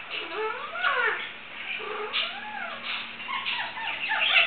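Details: Indian ringneck parakeet imitating a cat, producing a string of harmonic meow-like rising and falling wails, some drawn out, one after another over several seconds indoors.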